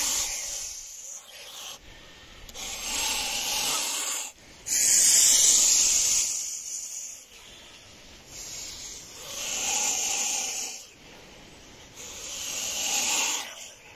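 A goose hisses in long breathy bursts, each lasting one to three seconds with short pauses between, a harsh airy rasp with no tone.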